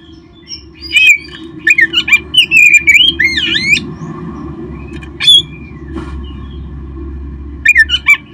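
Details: Oriental magpie-robin song to spur kept birds into song: lively runs of whistles and chirps with swooping slurs, interrupted by quieter gaps and scattered single notes, over a steady low indoor hum.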